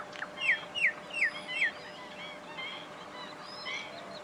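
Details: Black-winged stilts, part of a flock of thousands in a wetland at Gathera bird sanctuary, Gujarat, India; four sharp, downslurred yelping calls in quick succession, about one every third of a second, then fainter overlapping calls from other birds over a steady hum.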